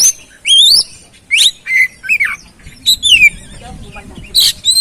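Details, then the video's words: Oriental magpie-robin singing, played as a lure to get a silent or stressed bird singing again. Bright whistles sweep up and down with harsher squawky notes, in rapid phrases with brief pauses. "Pancingan Burung Kacer Atasi Macet Dan Stres Kurang Gacor"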